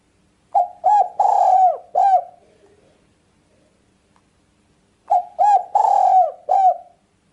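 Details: Spotted dove calling, recorded for bird luring: a phrase of two clipped notes, a long coo and a final hooked coo, then about three seconds of quiet before the phrase repeats.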